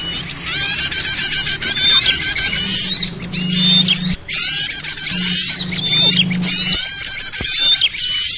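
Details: Small birds in a noisy trapping-lure recording, a continuous mass of shrill chirps and scratchy squeaks broken by brief pauses, with a low droning hum underneath.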